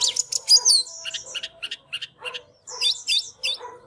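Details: Caged white-rumped shama in full display song while dancing, giving bright high whistles, quick chattering strings of notes and twisting slurred phrases after a brief pause.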